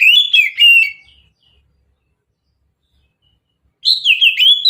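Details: Mountain-style song of an oriental magpie-robin used as a lure, delivered in loud bursts of quick whistled and chattering notes that rise and fall, separated by nearly three seconds of silence.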